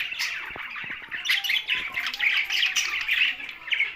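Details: Flock of budgerigars housed with parrots in Larkana, Sindh: busy, overlapping chirps and warbled chatter, rising and falling in loudness, with scattered dry clicks underneath.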